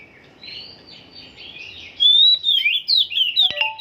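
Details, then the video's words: Caged Oriental magpie-robin still in song training, its sound not yet set; starts with faint warbling, then from two seconds loud whistled phrases sliding between high notes, with a sharp click near the end. "Burung Kacer msh tahap setingan bunyi juga"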